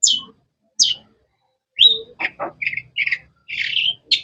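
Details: Long-tailed shrike (cendet) chirping: two sharp downslurred high notes, a gap, then a quick run of varied chirps, short buzzes and whistled notes of differing pitch.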